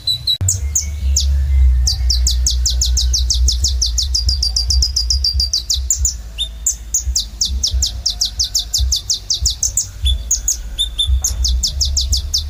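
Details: Kolibri ninja sunbird pouring out gacor song: long runs of rapid, slurred, very high chips, roughly three per second, broken by brief thin whistles, with a continuous low hum beneath.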